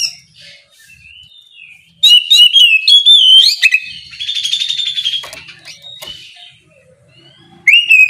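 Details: Morning ngeplong song of an Oriental magpie-robin meant to draw a rival's reply: soft whistles, then loud, clear whistled phrases with rapid chirps and a buzzy trill, ending on a strong rising whistle.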